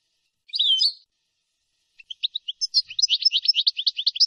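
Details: European goldfinch from a clean teaching tape of nahrat and taqasim song: one short twittered phrase, a pause, then scattered chirps that quicken into a long, rapid, rhythmic trill of high notes. No background noise.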